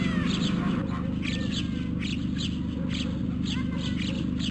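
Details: Hungry white stork nestlings at Carpinis, Romania, on 12 August 2014, recorded by a nest camera. They give rapid, hoarse, rasping bursts about three times a second over a steady low electrical hum, with faint whistled calls from other birds.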